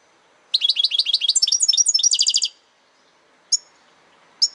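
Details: A European goldfinch delivers a two-second phrase of sharp, high chattering notes in quick succession, ending in an even trill, then two isolated bright high chirps a second apart.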